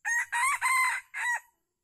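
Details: A wild, very old red junglefowl drawn to a decoy trap at Calang, Aceh Jaya, Indonesia, on 12 February 2020 gives a short, clipped crow in four quick harsh phrases, the last cut off abruptly.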